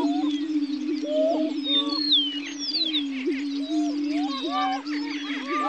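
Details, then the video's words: State-endangered greater prairie-chickens gathered on a lek at Dunn Ranch Prairie, Hatfield, Missouri, boom together in a steady, low, hollow hum, while sharp cackles, whoops and rising whistles break out above it throughout. "The Sounds of the Greater Prairie-Chicken"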